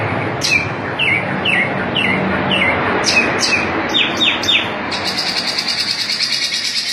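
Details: White-breasted oriental magpie-robin in the 'ngobra' singing style with 'muter muter' circling phrasing: sharp, down-slurred whistled notes about twice a second, then a rapid buzzy rattling trill, over a steady low background hum.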